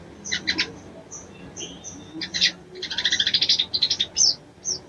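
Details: Female ruby-cheeked sunbird mating call aimed at arousing a male, made of scattered high thin ticks, then a quick burst of sharp chattering notes and a few clear high chips.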